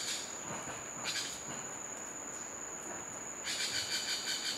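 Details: Macaws in a garden at Punta Preciosa: a macaw gives a harsh, grating squawk near the end, with a shorter rasp earlier, over a steady high-pitched insect drone.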